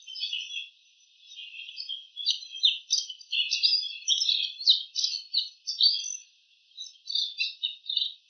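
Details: Wild bull-headed shrike copying calls of other birds: a continuous, fast, scratchy medley of high chirps and twittering notes, loud pulses coming in uneven bursts throughout, with a short lull near the start.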